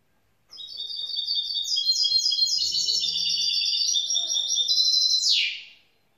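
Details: Grey-blue goldfinch mule, a young hybrid, delivering a bright, rapid twittering song of clear repeated notes climbing and falling slightly, closed by a harsh descending buzz; faint voices in the background.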